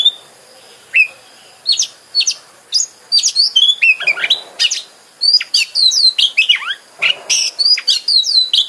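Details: Oriental magpie-robin song played as a lure to get a kept bird singing and spreading its tail: a lively stream of high, clear whistles, sharp upslurred and downslurred notes and short chips, delivered almost continuously.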